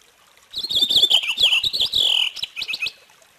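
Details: Purple finch song: a rapid, tumbling warble of bright, looping whistled notes lasting under two seconds, followed by a few short separate chirps.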